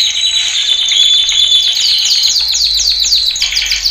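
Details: Male canary training song, played loud for other birds to learn: a fast run of high descending whistled notes and trills, strongest near the middle, continuous with no other sounds.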